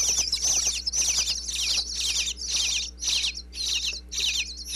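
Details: Inside a Pennsylvania birdhouse, baby bluebirds beg as a parent visits with food, recorded close by a wireless mic: loud, shrill, rasping chirp bursts packed together, repeated about twice a second.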